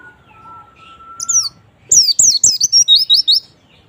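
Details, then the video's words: Kept white-eye song meant to prompt a quiet bird to sing: a long flat whistle from another source, then bright high downslurred chirps in a fast series of about eight notes. "pancingan pleci malas bunyi agar cepat gacor"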